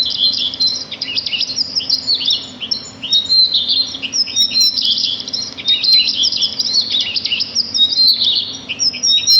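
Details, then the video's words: Several small birds chirping in a natural setting, dense overlapping high twitters and whistled notes in waves, with a few sharper clear whistles standing out. "صوت العصافير في الطبيعة"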